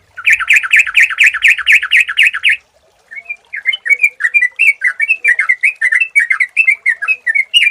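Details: Sooty-headed bulbul lure recording: a loud two-second series of rapid, evenly repeated bright notes, a short pause, then a long flowing chatter of varied sweet slurred whistles.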